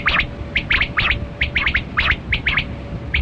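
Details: Kali Kirak quail (batera) from a hunting recording. Sharp, chirping double and triple notes repeat rapidly, roughly two clusters per second, against steady low background rumble.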